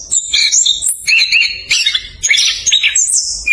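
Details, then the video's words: Chestnut-capped thrush delivering a speedy rolling song to lure reluctant birds; high, slightly harsh notes and rising whistled slurs run densely together. "ANIS KEMBANG NGEROL SPEED RAPAT COCOK UNTUK PANCINGAN ANIS KEMBANG MALAS BUNYI"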